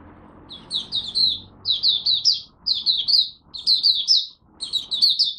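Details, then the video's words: First warm-up singing of the day by a Malaysian oriental white-eye: four or five tight clusters of bright, high twittering notes, each about half a second long and roughly one per second, over a soft low hum. "Malaysian Mata Puteh Buka Sing"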